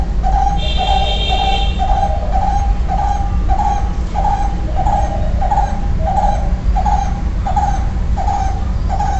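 A barbet repeats a mellow, hollow hoot about every two-thirds of a second in a steady, monotonous series over a constant low rumble.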